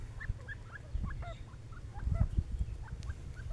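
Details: A pair of partridges calling outdoors: short hooked whistled notes, some rising and some dropping, repeated irregularly through the clip over a steady low rumble of wind or handling noise.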